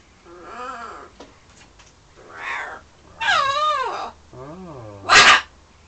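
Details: Pet bird indoors in London flirting with its mirror image and with birds outside the window: varied warbling, whistled notes that swoop up and down, ending in a sharp, loud squawk.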